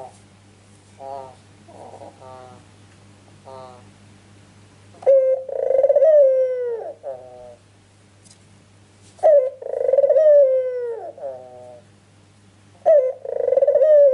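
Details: Ringneck dove used to lure other birds into answering, first some faint short cooing, then three strong, quavering coos roughly four seconds apart, each dropping in pitch with a brief, lower tail note.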